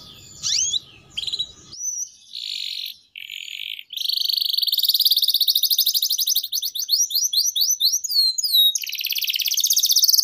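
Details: Canary in long 'gacor' song, used as a lure and tutor song for young canaries: after a muffled, noisy start with a few brief chirps comes a steady buzzy high trill, then rapid repeated down-slurred notes and a fast rattle.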